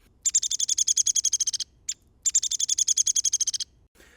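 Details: A Downy woodpecker gives two fast, high, sharp whinnies of about twenty notes each, gently dropping in pitch, with one lone note between them.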